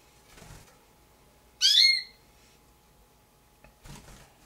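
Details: One sharp, high, slightly rasping squeal with a falling tail from young Damara red-billed hornbills kept in captivity, followed by faint soft rustles and a steady low hum.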